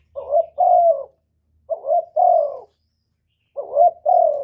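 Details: Cooing spotted dove, played to excite other doves into calling. Three phrases are separated by clear gaps. Each pairs a short breathy note with a longer, softly descending coo against near silence.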